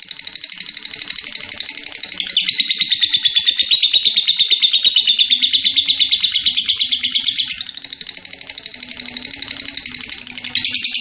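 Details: Long ngekek chattering by a lovebird in full song: rapid grating pulses, quieter at first, surging louder after two seconds for about five seconds, dipping, then rising again; faint low hum.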